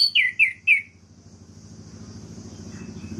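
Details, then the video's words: Orange-headed thrush singing to provoke other birds: three quick, downward-slurred whistles at the start, followed by a low rumbling hum and a faint high hiss. "PUTARKAN INI 1 MENIT SAJA‼️ DIJAMIN ANIS MERAH LAIN LANGSUNG MENGAMUK"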